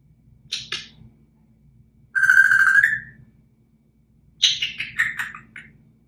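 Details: A one-year-old male African grey parrot gives a quick chirp, one long steady whistle that lifts at the end, then a tumbling run of descending whistled notes, with a faint low hum behind.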